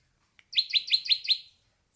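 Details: Ashy drongo producing a brief burst of five quick, evenly spaced bright rasping notes in under a second, against a quiet background.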